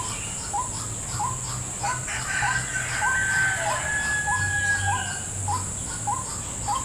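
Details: White-breasted waterhen coming to a lure at a trap set in a salak plantation, giving clipped rising notes about every half second, with some faint warbling in the middle and a constant high insect whine.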